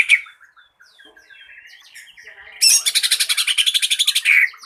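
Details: Green leafbird lure song, used to prompt other birds to sing: soft scattered chirps and short whistled notes, then a loud, rapid, buzzy trill of evenly pulsed notes lasting over a second, ending in a sharp whistled phrase.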